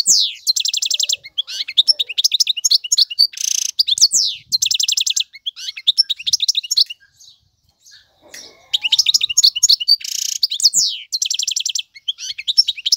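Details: European goldfinch male singing as a model for young birds; repeated phrases of sparkling twitters, buzzy rattling trills and nasal wheezes, broken by short pauses.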